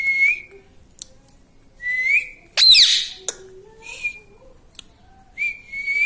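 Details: Pet parrot indoors, trained to say "mummy papa", giving short clear whistles that rise and then hold steady. They come in several separate bursts, with one loud harsh squawk in the middle and a low hum between calls.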